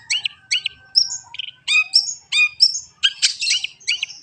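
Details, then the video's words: Long-tailed shrike in varied song: a fast sequence of harsh, rich chattering notes and bright whistled phrases, with some scratchy, buzzy bursts and almost no pauses. "master kicau burung cendet anti macet"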